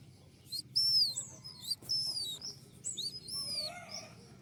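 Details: Newly caught male Javan white-eye in taming, learning sounds: thin, high whistled notes, some arched and sliding downward, given in short bursts with brief pauses between them, with faint low background hum.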